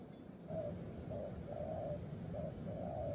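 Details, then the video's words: Young spotted dove cooing in a repeated series of soft, low, hollow notes, short coos alternating with longer drawn-out ones, over a steady low rumbling hum. "Đồng pha cườm 2dây.Clip444/ Chim tơ có bài, đánh ngay cội quá sung"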